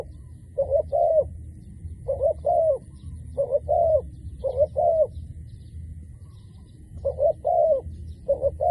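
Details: Frequently calling decoy dove used in trapping. Soft, hollow two-note coos repeat in pairs every second or so, with a brief pause midway, over a low rumbling background.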